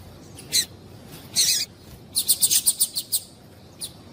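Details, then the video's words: Female double-collared seedeater calling to stimulate the male: a single high chip, a longer harsh rasp, then a rapid even series of about eight bright ticks, ending with one faint chip. "Piado de Fêmea de Coleiro para Esquentar o Macho"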